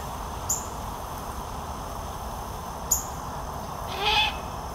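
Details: Juvenile great horned owl, full-sized yet still begging its parents for food, Lansing, Michigan, 2021: two short high ticks precede a single coarse, breathy screech late in the recording, low steady background noise.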